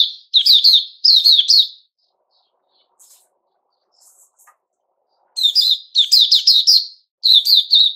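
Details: Puteh Raja, a male sooty-headed bulbul, recorded 10 July 2021. It sings clusters of three or four sharp whistled notes, falls quiet with only faint chirps for about three seconds, then resumes with vigorous runs.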